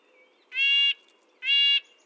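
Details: Two drawn-out, nasal calls from a red-breasted nuthatch, each nearly half a second long and rich in harmonics, about a second apart in a quiet setting.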